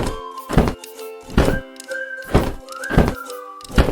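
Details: Music plays with heavy rhythmic thumps about once a second under sustained tonal notes, and no animal voice.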